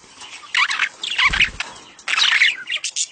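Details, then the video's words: Budgerigar mating calls, played to stimulate a female to breed and lay eggs quickly: short bursts of bright chirping chatter, with a soft wing flutter and a low thump near the middle. "خلي انثي البادجي تبيض بسرعه.اصوات التزاوج للتحفيز"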